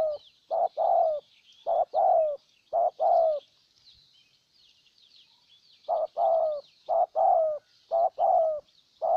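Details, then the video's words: A spotted dove kept as a decoy in Ninh Thuận, Vietnam, calls to lure a wild bird with quick runs of double coos, a pause of about two seconds, then more coos; distant small birds chirp throughout. "Cu Gáy Ninh Thuận clip 144 [ Hiệp 2 ] Mồi Siêu Gù thu phục bổi quá tuyệt vời"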